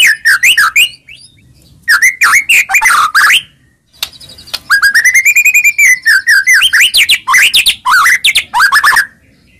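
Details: White-rumped shama song used to provoke another shama into singing: repeated phrases of quick, looping whistled notes, a brief pause, then a long rolling series of arched whistles rising and falling.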